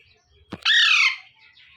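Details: Single long harsh squawk from a young Alexandrine parakeet in the morning, a drawn-out raspy call lasting about half a second, preceded by a brief click.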